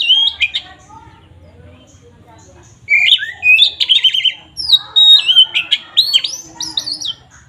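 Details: Oriental magpie-robin, known locally as kacer, in full ngeplong song meant to rile up rival males; quiet start, then a dense run of whistled, warbling and scratchy notes, rising and falling in quick succession.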